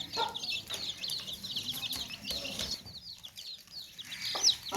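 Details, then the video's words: Flock of baby chicks in a tokri basket: quick high chirps tumbling over each other, fading briefly, then one louder sharp peep near the close. "Baby Chicks Chirping Sounds In Tokri | Chicken's Chicks Sounds and Chickens Clucking Sounds"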